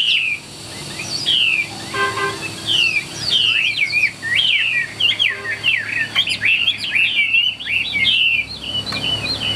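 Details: Caged Chinese hwamei singing in the 'ngũ trường' style, a bird kept for fighting with a fanned tail: a rich run of varied whistled phrases, slurred up and down, with short twangy notes and faint clicks behind.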